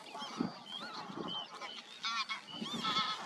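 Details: Northern lapwing giving drawn-out, wheezy, bowed calls that slide up then down, with a few short rough notes and faint chirping of other birds behind.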